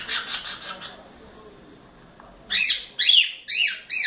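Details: A 4-month-old male cockatiel playing on a swing playground gives a burst of harsh chatter, then four loud arched whistles, each rising and falling, about half a second apart.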